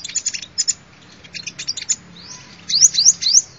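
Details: Sunbird song used as a lure for bird catching: bursts of thin, high chirps, then a quiet gap and three quick rising whistled sweeps near the end.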